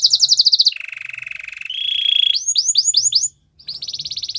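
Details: Training song from a white canary, opening on a fast high rolling trill. It drops to a lower buzzy rattle, then a level whistle and five or six upswept looping notes. After a brief silence a quick high trill resumes.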